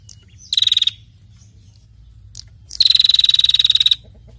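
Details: Female prinia calling actively. A short, buzzy, pulsed rattle is followed by a longer one of more than a second, rapid and harsh.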